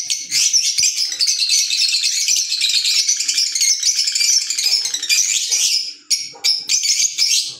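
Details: A group of green Fischer's lovebirds kept as pets, chattering loudly and continuously in a harsh, rattling, high-pitched stream of overlapping squawks for six seconds, then short separate bursts near the end.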